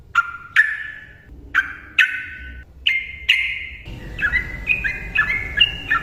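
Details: Yellow-vented bulbul singing to lure silent birds: loud, abrupt ringing notes with echoing tails, a few seconds apart, turning into quicker overlapping stepped whistles near the end.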